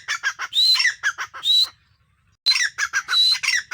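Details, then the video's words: Grey francolin giving loud, harsh, rapidly repeated notes with a shrill whistled edge, in two bursts split by a short pause. "teetar ki awaz || teetar voice || grey francolin calling || teetar sound"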